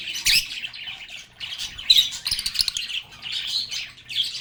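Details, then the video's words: Lovebirds chattering in loud bursts of buzzy, high squawks and twitters, about one burst every couple of seconds, over a faint low hum. "Lovebirds agapornis sounds | Relaxing Sounds of Singing, Playing, and Talking Parakeets"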